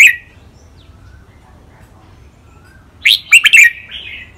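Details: Red-whiskered bulbul, one of two caged birds compared in Thai song styles such as rik, lak wai and nap dok. A short note opens, then a long quiet gap, then a bright burst of clipped whistles that trails into soft warbling.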